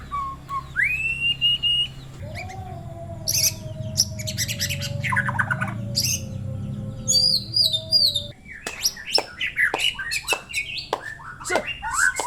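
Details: Singing white-rumped shama: a rising whistle, a long steady lower tone, then quick trills, high warbling phrases and a dense run of sharp chirps over a low background hum.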